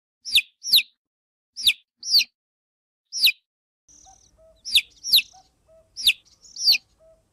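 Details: High-pitched peeps from newly hatched chicks, each a quick downward-sliding note, mostly in pairs about half a second apart, with a soft short whistle and faint lower tones in the background.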